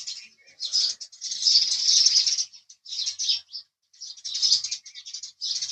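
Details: House sparrow chattering in loud, dense runs of rapid chirps, with short quiet gaps between bursts and a few softer notes.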